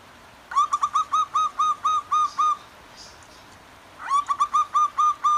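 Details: A wild male and female zebra dove answer each other in the morning beside clear running water, giving two bursts of clear, hollow cooing notes about four per second, with a short pause between and a faint background hiss.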